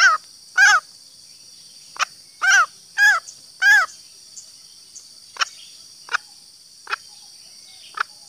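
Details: Female green junglefowl giving a lure call for males: several scattered hoarse, arched notes at uneven intervals, mixed with sharp clicks, over a steady high background hiss.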